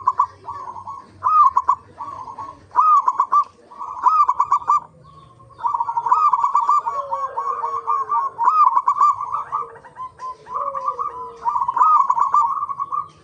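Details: Zebra dove lure recording, local birds, for prompting others to sing: overlapping runs of trilled, stuttering coos, at times two voices at once, one slightly lower, in long continuous rolling sequences.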